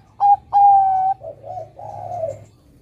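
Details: Zebra dove, a Bangkok-type perkutut, singing: two clear whistled coos near 800, the second long and level, followed by lower wavering burbling notes.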